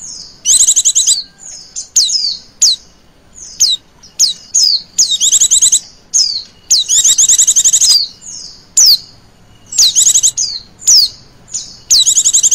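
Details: Female Oriental white-eye call used as a lure for other birds: high, rapid buzzy trills in short bursts with sharp downward-sliding whistles between them, bursts repeated every second or so with brief gaps.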